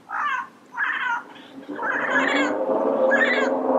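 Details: Yellow-headed parrot in natural habitat: two short rasping squawks, then a long, continuous stretch of harsh, wavering calling.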